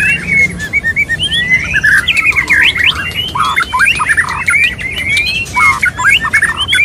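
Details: Mating sounds of a male white-rumped shama courting a female, a dense run of short whistled notes, chips and rapid trills, busy and continuous throughout.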